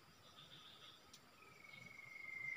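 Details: Common iora at a usual nesting site used as a bird-trapping spot: one long, level whistled note builds steadily louder over about a second, over a steady high insect drone and a sharp click.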